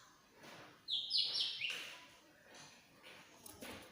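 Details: Greater green leafbird from Banyuwangi, agitated shrill song to make a silent bird sing: a loud harsh stepped whistle phrase over background hiss.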